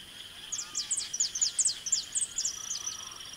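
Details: A saffron finch sings in the Pantanal of Mato Grosso, Brazil: a quick, uneven string of sharp, high chips and short downslurred notes over a faint steady high hiss, while a white monjita listens.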